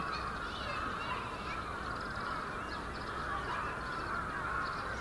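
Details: Big flock of bramblings wintering in Yoyogi Park, February 2019, giving a constant dense chatter of short high twittering calls from many birds against a steady hum.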